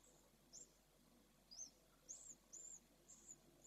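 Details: Swifts at a webcam nest in Jerez, around the first hatching, give faint, very high, thin peeps, short squeaky notes in uneven bursts about once a second over a soft background hiss.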